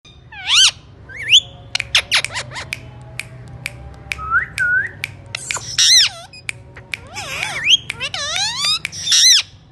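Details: Alexandrine parakeet indoors giving a mix of harsh squawks, rising and falling whistled notes and sharp clicks, scattered irregularly with short pauses, plus a low steady hum in the room.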